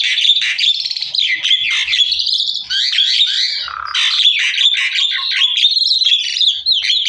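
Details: Javan myna (jalak kebo) master song for training other mynas to sing along: a dense, continuous stream of harsh chatter, whistles and squeaky notes, loud and unbroken for several seconds.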